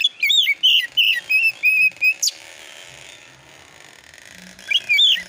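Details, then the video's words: Oriental magpie-robin lure song for provoking replies: a run of bright repeated whistled notes with buzzy overtones, a rising slur, a long quiet stretch of background hiss, then a short loud whistled phrase. "KACER AUTO NYAUT EMOSI KONSLET masteran burung kacer nembak isian"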